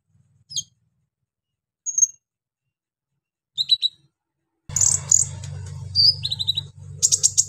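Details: Brown-throated sunbird in full song, delivering harsh filler phrases meant to rouse other sunbirds: short, very high sharp chirps spaced by silences, then a denser burst of squeaky notes over a low steady hum.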